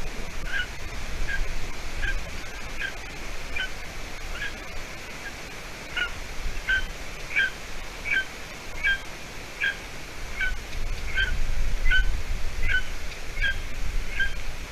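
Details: Golden eaglet calling on a Latvian nest, evening of 30 June 2020, after the adult female delivered sinewy roe deer hide; a long run of about eighteen high, thin chirps over steady low wind rumble.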